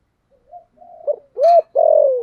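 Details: Decoy spotted dove of the Vietnamese 'thổ' voice style, cooing to lure wild doves: a few soft low notes build to an arched coo and a long, slowly falling drawn-out final coo.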